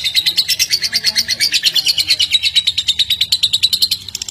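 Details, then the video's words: Lovebird sound played to stimulate pet lovebirds: a fast, continuous run of high, shrill chirps repeated about three times per second, steady throughout with a slight drop near the end. "BURUNG LOVEBIRD ANDA JADI KONSLET GARA GARA SUARA INI"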